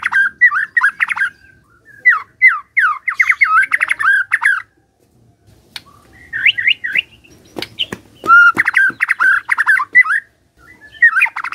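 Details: Kept white-rumped shama singing long bursts of fast, varied whistled and buzzy notes, broken by short pauses and some sharp clicking ticks, with faint low background rumble.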